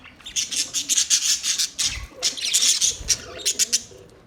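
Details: Lively budgerigar chatter: fast, bright, raspy chirps tumbling one after another in quick runs, loud and steady across the whole stretch.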